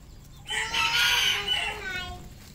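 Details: Red junglefowl crowing at close range on a farm in Cambodia, one long, loud, layered crow that holds steady then trails off, with little else audible.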